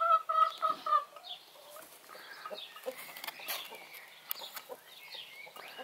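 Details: A broody Brahma hen roams away from the nest, uttering a quick series of loud nasal clucks in the opening second, followed by quieter broken clucking amid scuffling noises.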